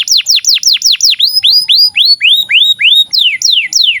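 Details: Canary song used to train young birds and canaries that stopped singing: a string of falling whistled notes changing to slower rising slurred notes, then sharper descending notes, clear and loud.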